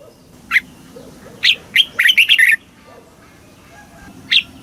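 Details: Red-whiskered bulbul in Thailand, song used to rouse caged birds and teach chicks in the southern master style: scattered single chirps, then a rapid run of sharp warbled notes near the middle, and two further chirps at the end.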